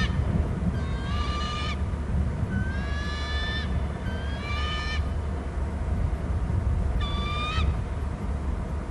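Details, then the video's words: Hornby Island bald eagles calling between the nest and territory, picked up on camera: four bursts of shrill, rising, stacked whistles a second or two apart, against loud low rumbling noise. "hearing eagles call; from the right one to nest and other to wa cam"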